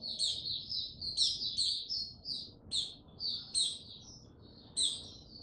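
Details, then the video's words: Recorded 6 March 2022, a male white-eye warming up before opening into song delivers quick high twittered phrases and shrill chips in short bursts, gaps growing toward the end, over low hum. "Mata Puteh Before he open buka"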